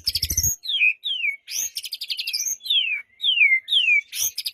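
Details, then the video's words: White-rumped shama song used to prompt a silent bird to sing: a run of clear whistles sliding down, alternating with rapid high rattling trills, each phrase about half a second, after a brief low knock at the start. "Murai Batu Diam Dengar Kicauan ini Seketika Langsung Nyaut GACOR"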